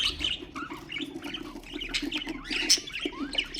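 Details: Pet budgerigars, sounds played to stimulate other birds: dense warbling chatter of rapid chirps, short whistles and scratchy notes, with one sharp high squeak near the end over a steady low hum.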